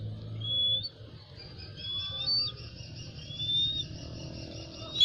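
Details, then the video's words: Golden eagle calls: several faint, drawn-out whistles spaced a second or so apart over a steady low rumble, ending with a short sharper note. "Sounds Of Golden Eagles"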